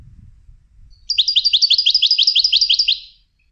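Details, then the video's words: A goldfinch being trained for song competitions produces a crisp, steady run of about eleven identical high chirps over two seconds, after faint low rumbling at the start. "Techniques for Success Training Goldfinches for Song Competitions"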